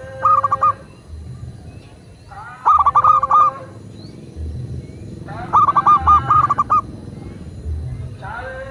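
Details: A local zebra dove coos in rhythmic phrases of five to eight fast, mellow, pulsed notes, repeated about every three seconds, with a low steady hum beneath. Used as a master recording to prompt doves to sing.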